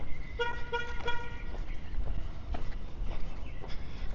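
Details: Street traffic rumbles throughout, with a few short car-horn toots near the start and no animal sounds.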